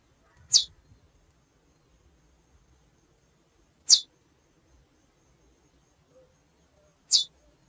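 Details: Female chestnut-bellied seed finch calling with three isolated, sharp, very high chips, each roughly three seconds apart, against near silence.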